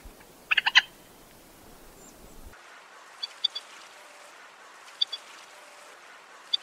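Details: Common moorhen: a quick burst of four or five harsh, harmonic-rich clucking notes near the start, then an abrupt cut to a quiet background with faint, thin high ticks repeated every second or two.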